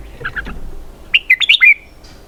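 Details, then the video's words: Red-whiskered bulbul singing 'xoắn kép' (double-twist) style, starting with faint soft notes then a bright phrase of five twisting, bending whistles ending in a drawn-out slurred note. "giọng hay cực xoắn kép"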